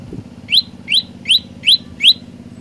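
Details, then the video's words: Olive-backed tailorbird giving five loud, rising chirps spaced about a third of a second apart, after a short low knock at the start and over faint background noise. "Burung Prenjak Lumut Gacor Suara 3 Variasi"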